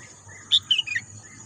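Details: Bird in green countryside: a loud high chirp, a short pause, then three quick descending notes, with a steady high insect drone in the background.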